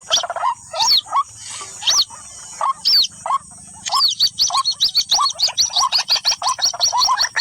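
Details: White-breasted waterhen calls from a lure recording played to attract birds: loud, harsh two-part notes repeated in a quickening series, pauses early on, then a dense run of rapid, evenly spaced calls toward the end.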